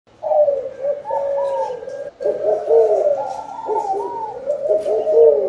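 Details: Spotted dove cooing, linked to a bountiful harvest: dense overlapping low hollow coos with bending notes, running almost continuously, with a brief pause near two seconds.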